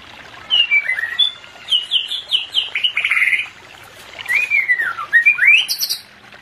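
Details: White-rumped shama singing, offered as fast therapy for a pair not in breeding condition: loud, rich bursts of rapid whistled and slurred notes in two phrases, with a brief pause between and sharp high chips at the close.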